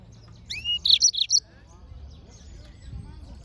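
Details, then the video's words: Short phrase of a Yellow-fronted canary: one rising whistled slur leading into four rapid, bright high chirps, then near silence with faint low rumble. "Yellowfronted canary - Serinus Mozambicus - Beautiful Bird Chirping"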